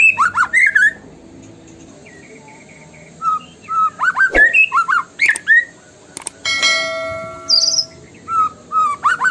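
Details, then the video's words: White-rumped shama (murai batu) lure song played to get other shamas singing: loud clear whistled notes, slurred up and down, in quick bursts, with a sharp click near the middle and a buzzy, rasping phrase after it. "PUTAR PANCINGAN MURAI BATU INI LANGSUNG BUNYI GACOR FULLISIAN!"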